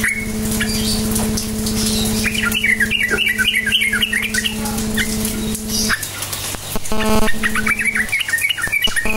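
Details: Lure recording of a sooty-headed bulbul singing the 'cukcuk nguplik' style to make quiet bulbuls reply: a rapid run of bright, bubbling warbled notes after a brief opening phrase, backed by a continuous mains hum that briefly drops out.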